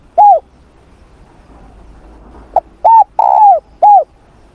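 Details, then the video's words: Spotted dove in morning voice training: a lone arched coo, a pause, then a full phrase of a clipped note, a rounded coo, a long falling coo and a closing coo. "Tiếng Chim Cu Gáy// luyện giọng cu gáy buổi sáng cực đỉnh."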